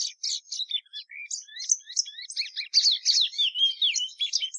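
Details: Patativa verdadeira, the plumbeous seedeater, delivering a varied high song of quick chirps, slurred whistles rising and falling, and a dense warbling burst toward the end.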